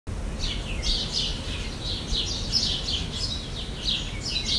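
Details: Jandaya parakeet in Brazil giving a rapid series of harsh, screechy notes, closely spaced and overlapping as if from several birds, over a steady low rumbling background noise.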